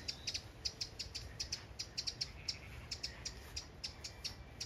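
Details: On a farm in County Kilkenny, Ireland, a very cross wren scolds loudly with dry, hard ticking notes, three or four a second in a steady, agitated run, over a faint low rumble. It is probably upset because a baby wren is likely on the ground nearby, with dogs and a cat close.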